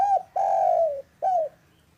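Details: Spotted dove, a local bird calling in the afternoon: an arched coo, a long steady slightly falling coo, then another short arched coo, all clear and close.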